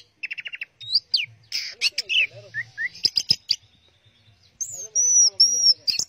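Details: Orange-headed thrush singing 'teler' style: a quick stuttered trill, then mixed clicks, slurred whistles and buzzy notes, ending in sustained high clear whistled tones.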